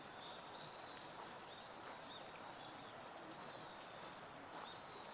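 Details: Long-tailed tits (Aegithalos caudatus), recorded on 8 March 2016, give thin, very high-pitched notes and short trills, scattered irregularly through a steady background hiss of outdoor noise.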